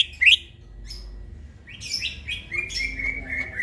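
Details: Greater green leafbird singing in the middle of the night: a sharp high chirp, a pause, then a run of bright whistled and slurred notes with buzzy overtones, steady low hum underneath.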